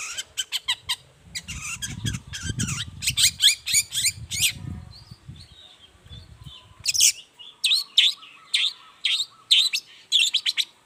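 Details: Long-tailed shrike singing vigorously in the morning as a lure for silent shrikes to answer: bursts of harsh, scratchy notes repeated in quick clusters, then sharp chirps with a faint buzzy hum and a low rumble underneath.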